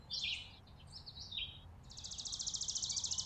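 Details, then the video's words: A chickadee on a winter porch in December gives a few high slurred chips, then a fast, even run of harsh buzzy notes repeated about three to four times a second. "Playful Winter Chickadees On The Porch"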